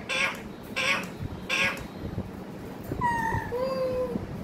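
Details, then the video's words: Three quick harsh squawk-like bursts from a parrot, then a pause and a pair of smooth sustained tonal notes, one slightly falling, over low room noise. "Pyaari baate karne wala tota"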